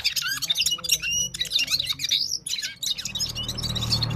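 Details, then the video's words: Parachinar Gulsar, a Himalayan bird, singing fast twittering phrases of bright chirps and swept whistles, fading into rougher background noise at the end. "Gulsar singing parachinar Himalayan top bird full power sings"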